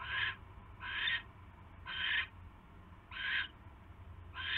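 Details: Nest of barn owls filmed on 27 January 2016 in the evening as prey, a mouse, arrives; five harsh noisy screech bursts at slightly uneven intervals over a constant low-pitched hum.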